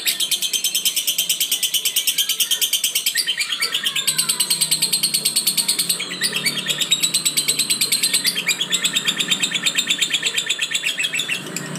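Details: Lovebird in long continuous chattering song, rapid high buzzy pulses repeated about three times a second, with a few thin whistled slurs mixed in and a faint low hum underneath.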